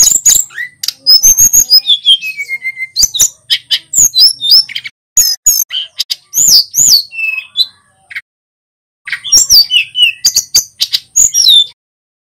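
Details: Singing hard, a local male Hill Blue Flycatcher from Pacitan delivers a long rolling song stuffed with mimicked phrases. Sweet descending whistles, rapid chips, swooping slurs and harsh notes run on, then break off briefly near eight seconds.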